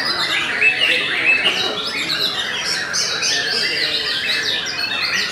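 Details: Dense song from a Belanda-type white-rumped shama: bright high whistles and rapid sliding notes tumbling over one another, loud and continuous.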